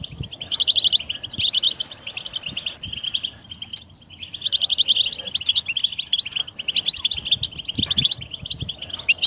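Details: European goldfinch stimulation song: dense, rapid twittering of high liquid and buzzy notes in long unbroken runs, pausing briefly once before resuming just as fast; faint low rumble in the background.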